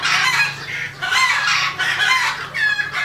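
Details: Red junglefowl, a wild rooster, giving harsh, clucking fowl calls in four loud bursts about every half second to second, noisy and broad in tone.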